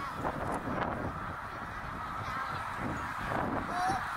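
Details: Tens of thousands of snow geese, about eighty thousand, gathered during migration at Middle Creek, Pennsylvania, in 2023. Continuous massed honking forms a dense wall of sound, with occasional single calls and light wind noise.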